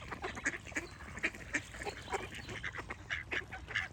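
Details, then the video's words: Short, nasal duck quacks come in quick succession, several every second, from more than one bird, loud and close, with light background noise. "Cute Duck Quack Sound Effects with Birds Singing"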